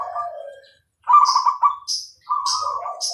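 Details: Bangkok-type zebra dove singing clearly: a falling low coo, a pause, then two bright trilled coo phrases, with high chirps from other birds between them.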